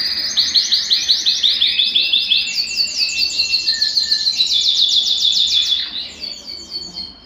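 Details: Belgian canary song meant to get a cold canary singing: quick, even strings of high sweeping notes, one tour after another, then a brief pause and a softer, sparser phrase closing.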